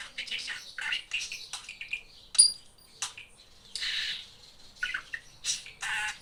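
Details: Talking pet budgerigar; rapid scratchy warbling, chirps and garbled speech-like phrases broken by short pauses, with a brief high whistle, indoors and otherwise quiet.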